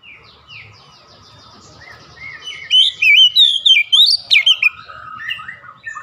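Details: Quiet chattering twitters build into a vigorous Oriental magpie-robin song with quick, varied whistled notes and sharp slurs, then softer phrases trailing off.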